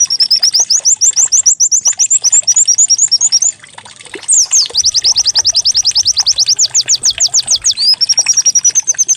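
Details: White-eye song played as a lure so the bird opens up and sings, compared to a canary: a long run of quick high chirps, a brief break, a burst of steep falling notes, then an even trill.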